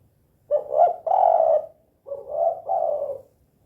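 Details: Spotted dove (tekukur) calling energetically in 'kuk 2' style, two phrases of paired husky low coos with a brief break between them.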